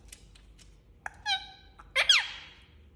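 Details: Indian ringneck parakeet, a pet talking parrot said to be angry, gives a few short harsh squawks with rising and falling harmonics, separated by quiet gaps in a small room.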